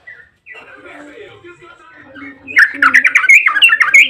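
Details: Lure song of a yellow-vented bulbul, long 'ropel' style meant to provoke other bulbuls to answer: faint low chattering gives way to loud, rapid, scratchy chirps and whistled notes.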